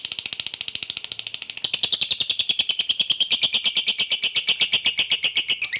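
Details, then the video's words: Lovebird long trill in fighter style: a continuous, piercing, fast-pulsed chatter that jumps louder and higher partway through, then carries on at an even rate. "SUARA BURUNG LOVEBIRD NGEKEK PANJANG"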